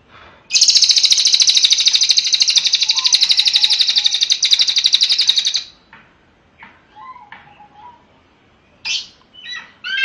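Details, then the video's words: Cililin giving a five-second dense, buzzy rattling trill, followed by scattered whistled chirps and short slurred notes from other birds. "SUARA BURUNG - Masteran Terbaik Cililin"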